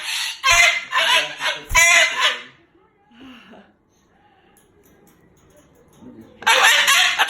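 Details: Angry Moluccan cockatoo talking and cursing. Two raspy shouted phrases are followed by a few seconds of near quiet with a faint murmur, then another loud harsh burst.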